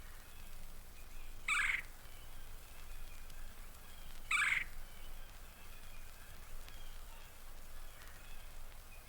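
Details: Red-bellied Woodpecker, the most common woodpecker at Mountain Lake Sanctuary, Lake Wales, Florida (1970 record), gives two short rolling churrs about three seconds apart, each a quick burred trill, over faint low hiss.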